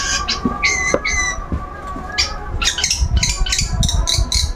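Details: Long-tailed shrike, a kept bird out for its routine sunbathing and refusing to stay quiet. Short squeaky and whistled notes come in irregular clusters, then a denser run of chattering phrases over steady background hum.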